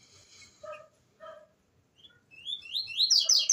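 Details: Green-winged saltator, known as trinca-ferro, at the start of the season: a few low nasal notes open, then a fast series of loud whistled, downslurred phrases builds into a dense, ringing burst.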